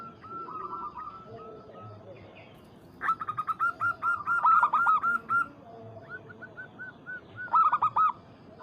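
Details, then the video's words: Local zebra dove calling to provoke a rival: soft cooing at first, then loud bursts of rapid rolling coos, with other doves answering in the background. "PERKUTUT Lokal MEMANGGIL LAWAN"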